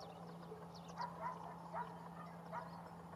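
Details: Flock of Greater flamingos recorded at Barragem da Marateca in November 2022: short goose-like honks repeated roughly every half second, four clear ones, over constant low humming and thin high chirps.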